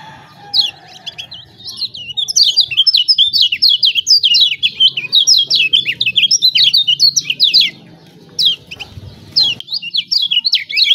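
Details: Lemon-bellied white-eye from Lombok in a 'ciak ciak' style used as a lure for birds reluctant to sing. A dense run of high, rapid twittering notes lasts about eight seconds, breaks off, then resumes in short bursts.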